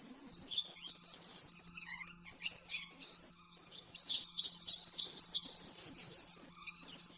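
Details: Master song of an oriental white-eye for training caged birds, 'nembak-nembak' style: quick, high twittering and buzzy trills running without pause, with a steady low hum beneath.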